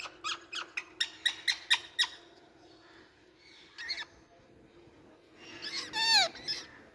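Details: Rose-ringed parakeet, an Indian parrot, uttering a fast series of eight evenly spaced harsh chattering notes, a lone screech, then a loud rasping burst of screeches.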